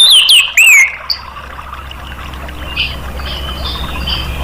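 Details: Orange-headed thrush song meant to prompt caged birds to sing: a few loud descending whistled slurs in the first second, then soft distant notes over steady background hiss.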